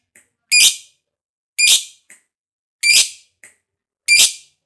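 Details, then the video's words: Fighter lovebird used to prompt other lovebirds to sing; four evenly spaced strident squawks, each followed by a small quiet peep, in a silent setting. "Pancingan Lovebird Ngekek Panjang SUPER FIGHTER, LB Kurang Semangat Kembali RAJIN BUNYI"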